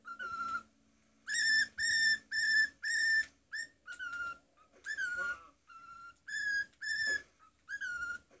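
A cockatiel whistles a learned march tune in clear, pure notes, some held and some short and sliding.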